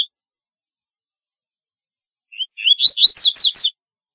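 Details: Corbatita, the double-collared seedeater, singing a calling song: after a silence, one phrase of thin rising whistles builds into four rapid, bright downslurred notes, then stops; no background noise.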